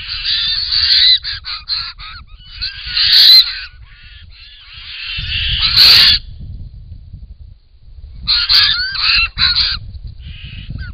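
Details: White-winged Choughs, wild in Australia, at a drinking pond on a camera trap; bursts of harsh rasping calls in three clusters separated by quieter spells, with a low background rumble.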